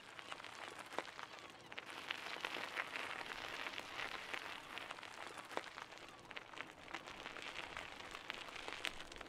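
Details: Soft hissing and crackle, like rain on a surface, with occasional clicks and no animal voices.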